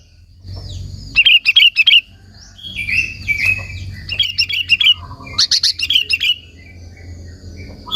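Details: Sooty-headed bulbul song for provoking and calling in other bulbuls: runs of rapid, harsh, bubbly chirps in phrases lasting about a second, then fading to a quieter close.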